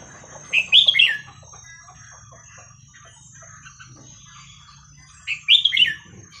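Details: Red-whiskered bulbul singing the song style locally called 'hua khrok khayao khuat', played to teach young birds; two short bright whistled phrases of warbling notes about five seconds apart, with a faint steady hum beneath.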